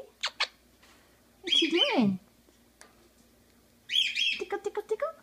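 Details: Quaker parakeet pet talking: two sharp whistled notes, a loud harsh warbling phrase sliding downward, then a rapid series of chattering speech-like syllables at the end.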